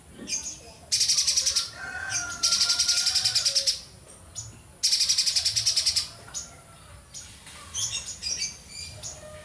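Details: Streaked spiderhunter singing vigorously: loud, rapid buzzy chattering bursts, very high-pitched, each about half a second to a second long and repeated every second or two, with softer twittering and a low steady hum between.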